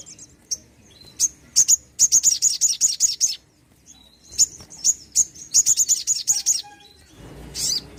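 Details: Sogon bird in full song, a lure to get lazy or untrained birds singing: bursts of rapid, very high, sharp repeated notes, several fast runs separated by brief pauses, ending with a rustling noise.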